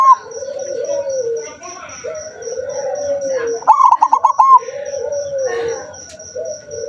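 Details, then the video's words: Zebra dove recorded 7 November 2023, said to sing rarely. It gives a loud burst of about six quick, clipped cooing notes, repeated rapidly. Lower, drawn-out coos from other doves run throughout, over a steady high pulsing tone and a faint hum. "perkutut jarang bunyi , sekali bunyi bikin melongo"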